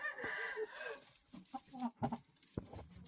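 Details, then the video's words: Rooster crow held for about one second at the start, a strong buzzy harmonic band, followed by short low clucks and sharp pecking or tapping sounds. "rooster, qaib zoo nkauj"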